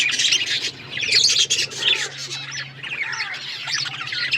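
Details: Several budgerigars, kept as colourful pets, chatter in busy overlapping bursts of squawky chirps and short rising and falling warbled notes.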